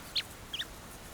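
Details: In the Mara, a bird gives two sharp, high chipping alarm notes about a third of a second apart, over soft hiss, mobbing and harassing a leopard resting in shade with her cub.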